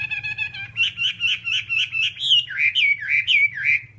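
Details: Whambie song for tutoring songbirds: a short warbled opening, then a fast run of rich, looping whistled notes repeated about three to four per second, rising slightly then dipping in pitch, over a low steady hum.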